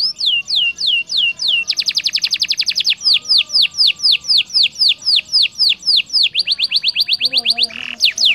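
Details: Canary singing for the training of other canaries. Slow falling whistles give way to a rapid rattling trill, then steady repeated swoops and another fast burst, loud and clear.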